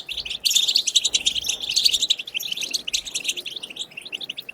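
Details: Batbata song of the European goldfinch, meant to stimulate goldfinches into song: after a short soft start, a loud, fast burst of glittering twitters and buzzes that slowly thins toward the end.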